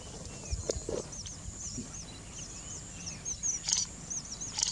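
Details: A male Red avadavat gives thin, very high, arched tinkling notes, several a second, over a steady high insect-like hiss and a few soft knocks.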